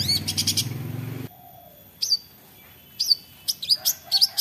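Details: A long-tailed shrike gives its sharp, high "toet toet" chirps in short bursts, with brief silent gaps between phrases and a low rumbling hum at the start; used as a lure to prompt other shrikes to sing.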